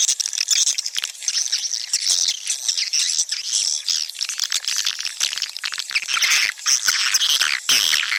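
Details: Attraction sound for swiftlet nesting houses: continuous high-pitched chattering of many swiftlets, with rapid chirps, squeaky twitters and clicks layered together, briefly thinning near the end.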